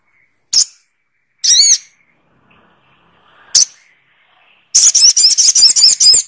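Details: Little spiderhunter with a few isolated sharp high chips, then a fast, steady series of about nine strident notes at the end, all against a quiet background.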